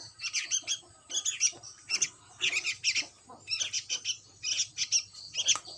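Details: Young sooty-headed bulbul begging with rapid, raspy, high chirps in clustered bursts roughly every second, steady and insistent.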